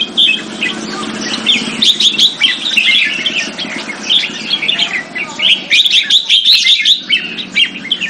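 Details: Captive Red-whiskered bulbul kept as a competition bird in Singapore, displaying: dense bursts of bright, chirpy, warbled notes repeated rapidly, almost nonstop, with a faint low hum underneath.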